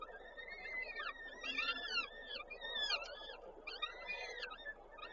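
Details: At a Koszalin peregrine falcon nest on 13 May 2022, chicks are fed by the female after the male brings prey; continuous wheezy, arching squeals in quick clusters, several voices layered together.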